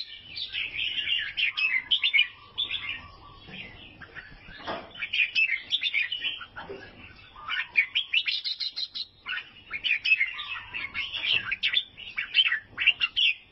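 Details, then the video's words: Albino sooty-headed bulbul, Vietnam, giving long runs of fast, scratchy twittering broken by brief gaps, with a low held whistle appearing twice under the chatter. "KICAUAN BURUNG KUTILANG ALBINO"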